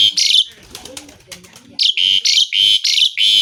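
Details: Asian pied starling singing with mimicked fills: loud rasping notes, then a quieter patch of soft chatter, then the rasping notes repeated rapidly again.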